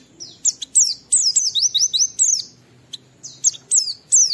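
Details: Oriental white-eye singing vigorously as a lure for other white-eyes to sing: rapid series of high, thin, down-slurred whistles, several in a row, then a short gap and more.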